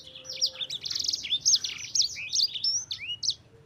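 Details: Sanger (yellow-fronted canary) song burst: buzzy trills and sliding high whistles run together quickly, with a faint steady low hum in the background.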